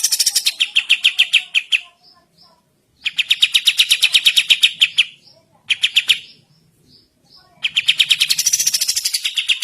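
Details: Tutor recording for training birds of a sooty-headed bulbul in full morning song: repeated streams of rapid, buzzy staccato notes lasting one to two seconds each, with soft faint notes filling the pauses.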